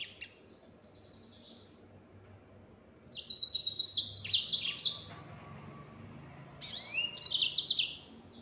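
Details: After a faint start, a yellow-fronted canary bursts into two rapid buzzy 'nembak' trill sequences, each lasting about two seconds.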